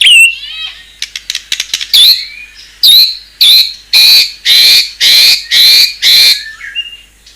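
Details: White-rumped shama with a fierce-sounding fill song: a falling whistle and scattered clicks, then a series of loud harsh buzzy notes about one per second, closing on a soft whistle.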